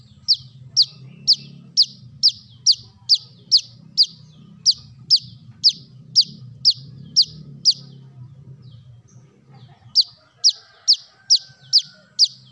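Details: Sunbird lure audio of a brown-throated sunbird: rapid evenly spaced shrill chips, about fifteen, then a pause filled with low humming noise, before another quick series of about six notes.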